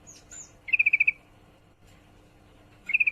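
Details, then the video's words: Female yellow-vented bulbul in breeding condition summoning a male: a brisk run of seven bright chip notes, with thin high squeaks just before and a second burst starting at the end. "trucukan betina birahi memanggil jantan"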